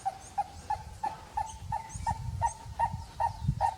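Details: Purple-crested turaco giving a long run of short, hoarse, evenly pitched notes, about three per second and slightly speeding up, with faint thin chirps from other birds higher above.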